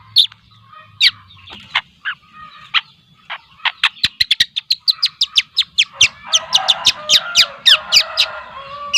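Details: Two-month-old speckled long-tailed shrike of the Lampung type, giving a busy run of sharp chirps and short whistled notes that grow faster and denser, ending in a scratchy chattering jumble.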